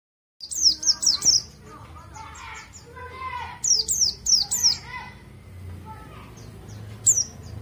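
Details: A white-eye sings its standard "ngalas" song, a rhythmic lilting stage reached after five to seven months of care: bursts of very high, thin, squeaky notes in quick twittering phrases with short pauses. A man's voice is faintly heard underneath.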